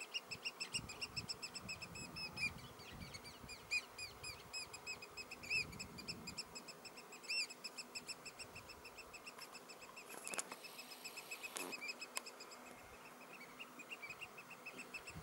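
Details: Eurasian oystercatchers, three birds, piping on 16 June 2016: long, dense run of sharp high pipes repeated in rapid chains, with a couple of brief broadband crackles partway through.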